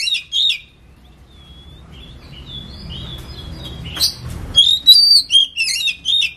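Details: Oriental magpie-robin (kacer) singing in the ngetem style, used as a lure recording: bright whistled notes with rising and falling slurs, a lull after the first second, then a dense burst of varied high whistles and trills, over a low background hum.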